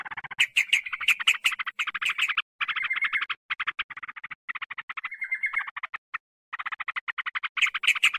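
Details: Sooty-headed bulbul used as a lure to attract wild birds: long runs of fast, buzzy chatter broken by short pauses, with a few brief whistled notes in the middle.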